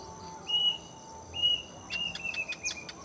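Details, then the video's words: In a mango tree near a house one afternoon, a plaintive cuckoo whistles two long high notes about a second apart, then bursts into a quicker stuttering series of shorter whistles mixed with sharp clicks. "Pernah Merinding Dengar Suara Burung ini?!! inilah si Burung Kedasih yang Penuh Mitos..!!!"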